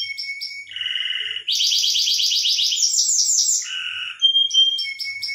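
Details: Canary singing a mating song meant to stimulate breeding, switching between steady whistled notes, a low buzzy tour, a long rapid trill and short repeated chips.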